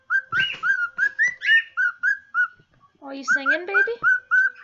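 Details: Pet cockatiel singing indoors: a quick run of bright whistled notes, many rising or slurred, repeated about three per second, with a brief pause before a lower, buzzier burst and more whistles.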